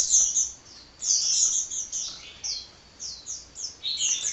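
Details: Kolibri, or sunbird, chattering nonstop: high, squeaky chirps and quick descending slurs tumbling in short runs, with a softer stretch near the middle before the twitter picks up again.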